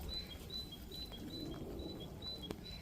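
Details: A great tit sings a bright two-note 'tea-cher' phrase, high then lower, about twice a second, in a garden during cold freezing rain, with rain pattering steadily.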